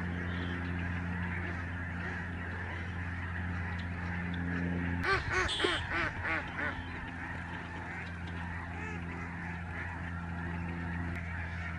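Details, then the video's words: Lesser Snow Geese massed in the sky at a Canadian migratory bird sanctuary in November 2011; a constant honking chorus with a steady mechanical hum underneath and a brief loud burst of sound about halfway through. "Spectacular flock of Snow geese in the sky Nov, 2011"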